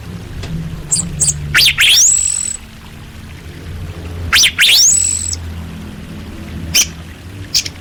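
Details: Orange-headed thrush used as a song tutor for caged birds: two loud phrases of rising, sliding high whistles about three seconds apart, then short scattered chips, with a low background rumble.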